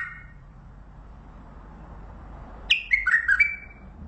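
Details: Mandali bulbul song: a single clear, mellow phrase of falling whistled notes after a long stretch of soft background hiss, with a faint note at the start.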